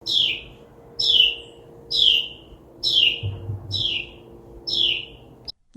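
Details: A Carolina wren, loudly broadcasting around a yard, sings loud, ringing phrases that slur downward, repeated about once a second, six times in a row, over a faint low hum.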